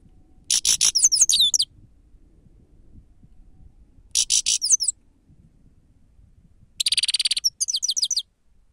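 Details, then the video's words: Grey-crowned goldfinch song, a recording used as a lure: three separate bursts of high, rapid twittering, each about a second long, with buzzy trills and quick downslurred notes, separated by pauses of several seconds. Faint low background rumble. "седоголовие щегол сава"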